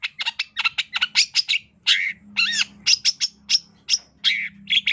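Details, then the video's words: Long-tailed shrike (cendet) singing master song rich in fill-ins: quick sharp chips, a harsh wavering squawk, then clear high whistled notes and scratchy phrases in a busy, varied stream over a low hum. "Kicau Suara Cendet No #1❗Masteran Cendet FULL Isian MEWAH JOSS TERBAIK 2023"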